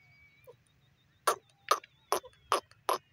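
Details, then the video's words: Grey francolin, known locally as teetar, singing while in flight: five loud, harsh, rasping bursts repeated roughly every 0.4 seconds, with faint thin whistles and a low hum in the background. "Sing & Fly in Grey Francolin Teetar Sound"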